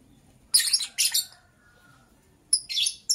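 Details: A lovebird chirping in the morning, with two loud, harsh, screechy bursts close together, a short silence, then two more sharp chirps at the end.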